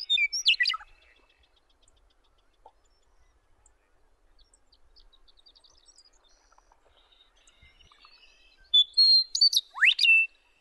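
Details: Western meadowlark singing on territory in Wyoming: a loud burst of sweeping, slurred whistles at the start, a long quiet gap with faint distant bird notes, then a second bright phrase of swooping whistled notes near the end.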